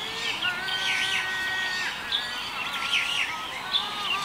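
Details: In February 2021, Light-vented Bulbuls chatter in bright, overlapping whistled phrases that rise and fall, over a steady background hum with other birds calling.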